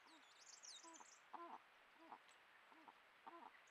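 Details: A pair of Malleefowl exchange vocalisations, a run of low, arched hooting notes about one every two-thirds of a second, with a small bird twittering high above at the start; recorded as the season's first egg was laid, 7 September 2024.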